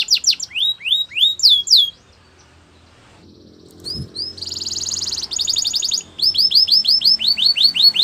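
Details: Canary song offered for training: rapid series of downward-sweeping whistled notes, about 1.2 seconds of silence with a soft thump, then a buzzy steady rattle and a run of rising whistled notes.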